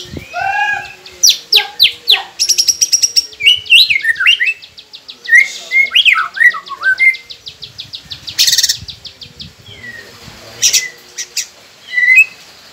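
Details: White-rumped shama song used as a training recording to prompt silent captive birds to sing: rich, varied whistled phrases with rising and falling slurs, interspersed with sharp clicks and rattling notes, in quick bursts over about thirteen seconds.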